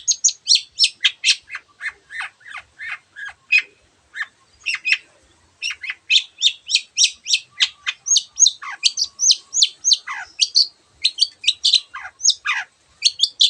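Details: Long-tailed shrike singing energetically with many varied imitations of other bird voices: a steady stream of sharp, high, downslurred chirps and squeaks, closely spaced, with short whistled notes in the second half.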